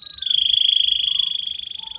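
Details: Young canary delivering a sustained, fast rolling trill at a steady pitch for a training recording, with faint low background rumble.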